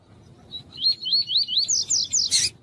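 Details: Double-collared seedeater used to warm up males, with a female calling: a steady run of about eight clear, high, slurred whistled notes, rising toward the end, then a harsh noisy burst, over low background rumble.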